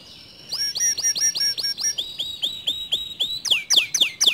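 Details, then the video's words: Canary song intended to make other canaries sing: a series of evenly repeated whistled notes, a lower run of slurred notes, then loud high downsweeping whistles. "Suara Kicauan Kenari ini Sering Kali Memancing Emosi Kenari Lain Agar ikut GACOR DOR"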